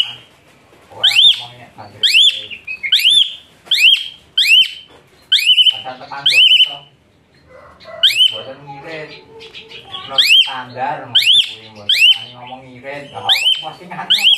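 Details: Loud, high-pitched Asian pied starling song used to train other birds, a long series of sharp rising whistles roughly every half second, broken by a spell of softer rough chatter.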